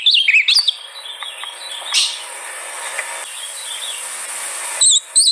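Ultramarine grosbeak song: quick, sweet warbled phrases with rising and falling whistles, then a faint hiss before two short bright notes at the end.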